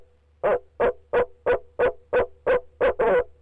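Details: From inside the nest box, the male barred owl repeats short, loud, low hoots at a quick regular pace, nine in a row, the last two running together.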